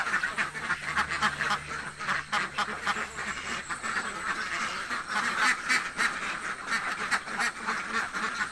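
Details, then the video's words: A flock of hungry ducks in a village quacking vigorously, nearly four harsh, overlapping quacks per second, in bursts of varying loudness, with a low hum underneath. "duck quack hungry sound effects"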